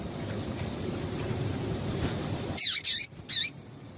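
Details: After a stretch of low background hum, a female seedeater gives three quick, high, squeaky chirps with a wavering, downward-bending quality, a call said to get the male singing.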